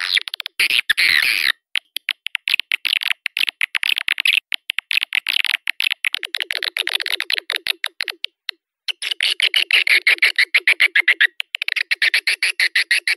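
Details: Swiftlet lure call used to draw swiftlets to nesting houses: long runs of fast, sharp clicks and harsh buzzy chatter, broken by brief pauses, clean and loud throughout with no other sounds.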